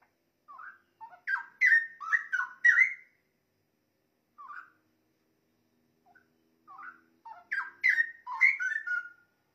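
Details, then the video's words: Straw-headed bulbul singing, used as a model for training songbirds: two bursts of rich, bubbling warbled phrases with rising and falling liquid notes, separated by a quiet gap with a few soft single notes. "Suara Burung Cucak Rowo Untuk Masteran"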